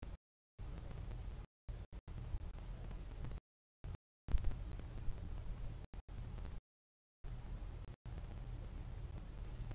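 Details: Low background noise broken by several silent gaps and a single thump, with no animal calls.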